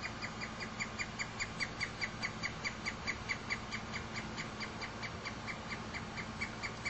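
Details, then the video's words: Pileated woodpecker near its nest outside a home in Frankfort, Kentucky, giving a steady series of short, clipped, nasal notes, about two or three per second, over a low background hum. "Pileated Woodpecker near its nest with vocalizations"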